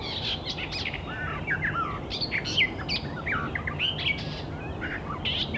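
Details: Icterine warbler (Hippolais icterina) in the wild sings a fast, varied stream of chirps, slurred whistles and squeaky notes, steady over a low background hiss.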